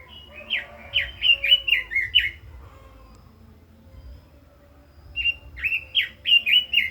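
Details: Red-billed leiothrix singing 'kích giọng', fired-up and daily: a quick string of bright warbled whistles, then a silent gap of nearly three seconds, then another fast run of slurred rising and falling notes.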